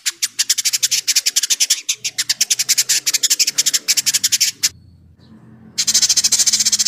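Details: Village indigobird delivering harsh, rapid chattering, a long series of raspy pulses that stops for about a second and then resumes as a continuous hiss-like rattle, over faint low background hum.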